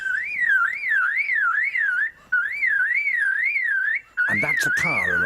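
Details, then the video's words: Lyrebird mimicking a car alarm: a loud whistled siren that wavers up and down about twice a second in long runs with brief breaks, ending in a burst of harsh, rasping noise. "طائر(lyrebird) يقلد صوات الكاميرا والمنشار وإنذار السيارة!"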